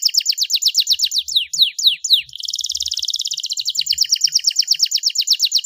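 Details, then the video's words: Lively gacor song of a Starblue panda canary: rapid repeated chirping notes, a few slower descending whistles, then a dense buzzing roll easing into an even trill. "kenari Starblue gacor dor || kenari Starblue panda juara"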